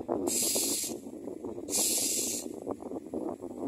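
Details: Common myna chicks in the nest, gaping wide to be fed, give two harsh, hissing, broadband rasps about a second apiece, over a steady rumbling, rustling background.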